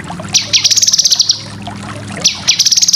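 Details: Cucak kinoy song used as a tutor recording for competition birds: rapid chattering bursts of high, buzzy repeated notes in two phrases, with a constant low background hum.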